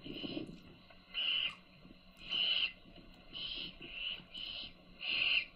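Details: Owl chicks fed by their mother make loud, breathy screech-hisses in bursts about a second apart, with a low rumble at the start.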